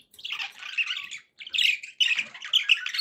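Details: Pet budgerigars making happy sounds: dense scratchy warbling chatter in three bursts, with squawky and chirping notes run together.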